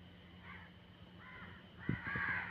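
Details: A crow calls at midnight with a few rough, drawn-out caws, the last louder and longer. A couple of dull knocks and a constant low hum sit underneath.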